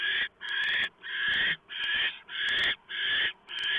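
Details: Nest of barn owls at 3:59 AM, November 2015, owlets fed a huge mouse delivered by the male; rough, breathy screeches pulse about every half second with short gaps and faint clicks.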